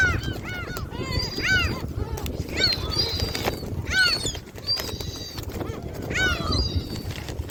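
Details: A flock of gulls at Jebudo island, South Korea, gives overlapping, arched mewing cries in quick bursts, with rumbling wind and faint human voices underneath.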